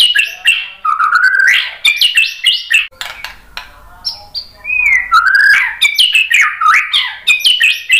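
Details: A white-rumped shama sings as a lure to draw replies from other shamas. Rich rising and falling whistles, sharp clicks and quick chattering flourishes pour out almost without a break, with brief low background noise in the middle.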